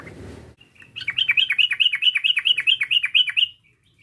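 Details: Sooty-headed bulbul provocation call: a steady, rhythmic string of about a dozen bright, slurred chirps, each dipping then rising, delivered quickly and evenly before fading.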